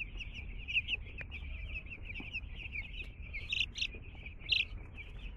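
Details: Two-day-old chickens, chicks newly arrived at a home, giving a steady chorus of high, thin peeps that overlap continuously, with a few louder cheeps standing out, over a low rumbling background noise.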